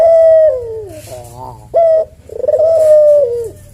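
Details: Javanese collared dove (puter jawa) in the slow senggang style, cooing melodiously as a tutor and lure for cage birds: a sharp upward note, a stuttering ladder of notes, then a long level coo that slides down at the end.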